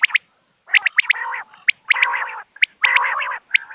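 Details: Common quail recording for hunters. Pairs of sharp, high notes are followed by longer, raspy, buzzing phrases, with the pattern repeating about once a second.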